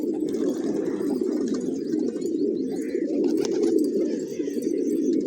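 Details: Village pigeons at a morning grain feast, many birds cooing together in a thick low rolling murmur, with a brief higher chirp midway.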